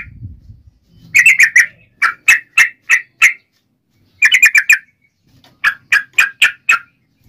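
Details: Yellow-vented bulbul singing in a provoking fighting style meant to make other bulbuls answer: bursts of rich, bubbly whistled notes, four to six in quick succession, separated by short pauses, with low background hum early.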